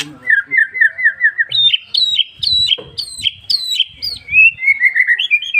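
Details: Wild bar-winged prinia singing: a rapid run of repeated chirpy notes, then a jump to higher, sharper whistled phrases repeated several times, ending in a rolling warble.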